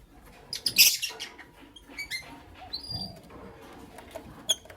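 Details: A Creamino and a Lutino Opaline lovebird in the morning: one loud, buzzy chirp burst, then scattered thin, high whistled chirps and squeaks over faint background rustling.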